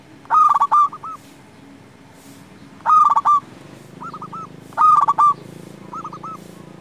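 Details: Vigorous local zebra dove song meant to make silent doves sing and raise their breeding drive: three loud, clipped coo phrases about two seconds apart. Each is trailed by a softer three-note coo, with steady low hum underneath.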